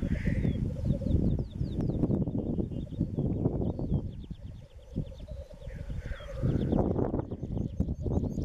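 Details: Males bubbling at a black grouse lek, east Wales, March 2016, a sustained low warbling drone with breaks, wind roaring underneath and rapid high ticking calls of other birds at the end.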